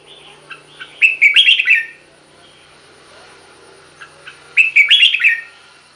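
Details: Song of a caged red-whiskered bulbul, intended to excite other cage birds: two loud warbling phrases about three and a half seconds apart over a low steady background hum.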